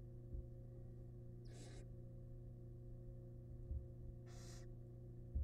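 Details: Wild barn owls in a monitored nest box, the male delivering a big rat to his family. Two separate raspy hisses roughly three seconds apart, with occasional soft bumps and a steady low hum.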